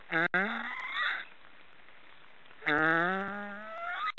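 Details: Two loud snoring calls of black storks, a rich, nasal, slightly rising drone, the first broken off into a squeaky ending, separated by a pause of over a second.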